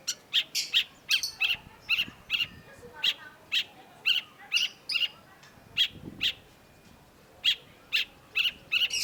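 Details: Long-tailed shrike (cendet) pouring out fast, slightly harsh chirps, about two per second, in a lively continuous chatter with a brief pause midway.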